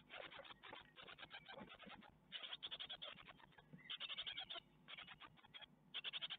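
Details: Webcam nest of great tits at Ostwald on 12 May 2021 as the nestlings get a spider; rapid scratchy chick calls pour out in pulsed runs, loudest in short bursts toward the end.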